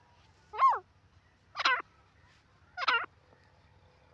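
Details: Wild grey francolin, locally called jungli teetar, in the jungle: three harsh, harmonic calling notes with sharp pitch sweeps, spaced about one second apart over a quiet low background hum.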